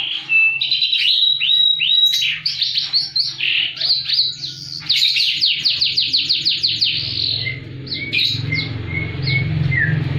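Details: Canary in full, persistent song covering high and low parts, used as a master recording to stimulate silent canaries: fast trills, rising whistled slides and rapidly repeated notes, then lower, evenly spaced whistles near the end, over a faint low hum.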